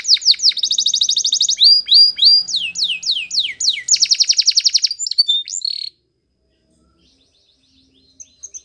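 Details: Spanish Timbrado canary singing a training song, fast buzzy trills and repeated sweeping notes for about six seconds, then near silence with a few faint distant notes at the end.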